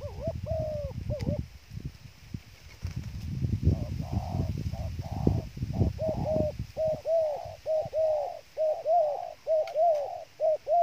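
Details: Dove used as bait, cooing through loud rustling and low noise at first, then a clean fast series of short paired coos repeated about once a second.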